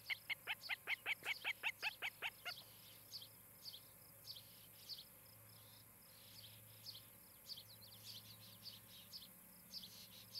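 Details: Osprey at its nest in Charlo, Montana, filmed by a nest camera on 17 July 2018 in the evening: a rapid run of about ten loud, sharp whistled chirps in the first two seconds, then fainter scattered chirps over steady insect buzzing.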